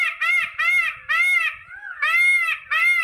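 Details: Peacock giving loud, ringing, mewing wails in quick succession, five strong harmonic notes with brief gaps, each slightly arched in pitch, clear and dominant over faint low background.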